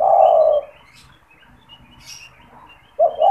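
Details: Caged spotted dove kept for luring wild doves, calling often when people are near its cage. The tail of a low, mellow coo opens the recording and is followed by a quiet pause. A new phrase starts at the end.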